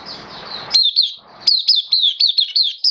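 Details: Hobby oriental white-eye singing on 11 September 2022, form slightly down: a blurred high phrase over low hum, then a crisp series of sharp, down-slurred chirps repeated several times a second.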